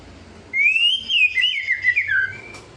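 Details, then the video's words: White-rumped shama kretekan song, meant to provoke rival birds: one long, clear whistled phrase that rises, wavers and then slides downward, set against a quiet background. "kretekan buat memancing emosi lawan,auto gacor"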